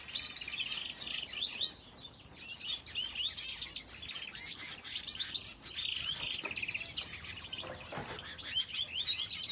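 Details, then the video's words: Finches in an aviary shared with a canary, giving a dense, continuous stream of high, thin chirps and twittering notes overlapping from several birds, with brief soft rustles between phrases. "Aviary with finches and canary"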